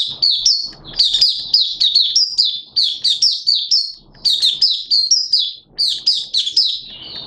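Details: Malaysian Oriental white-eye (Mata Puteh), a hobby songbird, recorded Sunday 21 June 2023, opening its song: rapid, high, twittering phrases of short chirps and slurred whistles, almost continuous, with brief pauses and faint background hiss.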